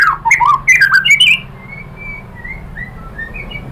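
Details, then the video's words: White-rumped shama singing as a lure for other shamas to answer: a burst of rich varied whistles and slurs in the first second and a half, then soft thin whistled notes trailing off over background hum. "MURAI BATU lain jadi NYAUT ikut BUNYI GACOR BONGKAR MATERI ISIAN ¦ PANCINGAN MURAI SHAMA BIRD"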